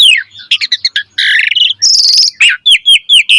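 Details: Asian pied starling song used to train birds to sing: a falling whistle, quick chips, a buzzy grating phrase, a high rattling note, then evenly spaced downslurred whistles about four per second.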